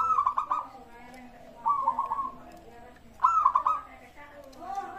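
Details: Local zebra dove song used to coax other birds to call: brief rolling coo phrases about every one and a half seconds over a hissy, busy background with faint chirps.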